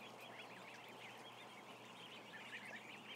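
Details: Peeping from a large crowd of about a thousand ducklings: many high, short, overlapping cheeps that rise and fall in a steady, dense wash over a low background hum.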